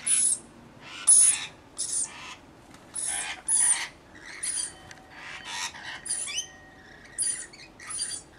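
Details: Rainbow lorikeets in a mixed flock of about 40 looking after one baby keep up around twelve harsh screeches mixed with chattering calls over several seconds.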